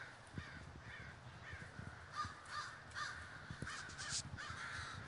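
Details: Crows gathered in a flock at Davis, California, heard at a distance: a steady wash of overlapping hoarse caws from many birds, with soft low thumps underneath.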